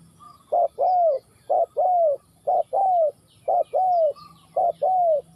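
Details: Spotted dove from Ninh Thuận, Vietnam, cooing steadily and loudly: five phrases in about five seconds, each a short clipped note then a longer smooth coo sliding downward, repeated at a regular pace. Only faint background hum and distant bird chirps.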